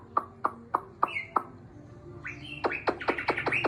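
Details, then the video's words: Chinese hwamei in its cage, around six months kept, returning to form after molt: evenly spaced sharp clicks, a brief whistle, then a quickening series of rising whistled strokes. "Hoạ mi bổi 6 tháng lồng"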